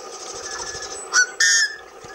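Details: A yellow-headed blackbird in Lake County, Oregon, USA sings a short clipped note, then a harsh, grating buzz lasting about a third of a second, with faint chatter in the background.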